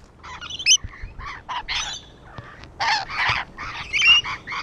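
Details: Harsh, noisy screeches from rainbow lorikeets gathered on a wall, coming in clustered bursts with a few thin whistled notes between.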